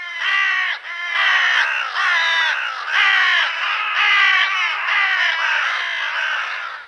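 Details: Carrion crow, found in Europe west of the hooded crow's range, gives a steady run of hoarse, grating caws, about one each second, with no gaps between them and no other sounds.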